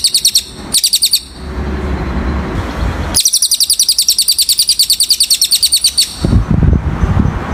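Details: Cililin singing, recorded as a training song for birds: rapid runs of high, sharp chirps repeated several times a second in bursts of about one and three seconds, with low rumbling background noise between bursts.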